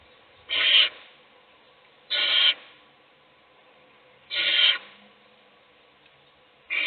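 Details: At a nest box, an adult owl feeds one chick while the other chicks sleep. Harsh, hissing rasps, each under half a second, repeat irregularly about every two seconds against a quiet background.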